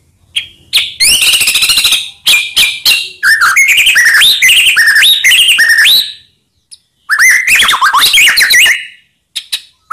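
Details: Lure song of a white-rumped shama meant to rouse other shamas: long rich run of rising whistled notes, fast trills and harsh chatters, delivered in dense bursts with brief gaps.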